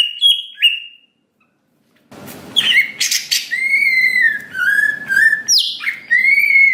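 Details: Greater green leafbird lure song in gacor style with nembak and isian, aimed at a fast emotional response: a few sharp whistles, a pause, then long drawn slurred whistles and harsh bursts over a rustling background.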